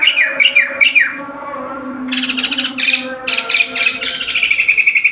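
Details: A white-crested laughingthrush in gacor song gives three swooping downslurred whistles, pauses, then breaks into harsh buzzy chatter ending in a fast even trill of clear notes, with a faint hum behind.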